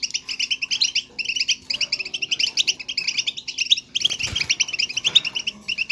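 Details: European goldfinch batbata used to stimulate song; short bursts of rapid, high twittering separated by tiny pauses, with a dull thump partway through, chatter continuing after.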